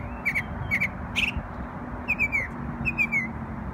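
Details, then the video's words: Bird singing in New York on Memorial Day: paired clear whistled notes sliding slightly downward, given in short bursts about every half second, with a later run of three falling whistles, over a steady low hum. "NY Bird Sings Beautiful Songs on Memorial Day"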